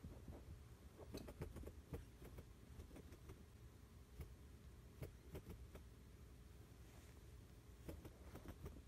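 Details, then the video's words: A bantam chicken pecks in rapid, hammering bursts of quick, sharp taps, hard clicks coming in fast runs over a steady low hum; the pecking sound is described as oddly pleasant. "チャボ・マシンガン 【ASMR】 Bantam Chicken Machine gun"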